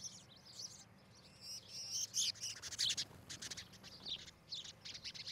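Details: Osprey at a Charlo, Montana nest, captured by nest camera on a July 2018 morning; loud, piercing high chirps and whistles grow denser midway, broken by short clicks and knocks.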